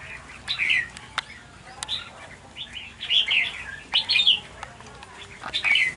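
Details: Red-whiskered bulbuls fighting and pecking each other over food give short, bright chirps in quick bursts about every second, with sharp tapping clicks between them.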